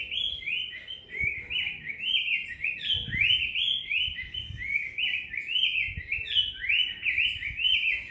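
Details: Cinnamon tanager singing at length: a continuous, fast run of bright warbled and slurred notes, each phrase rising then dropping, strung together without a break, with faint low knocks in the background.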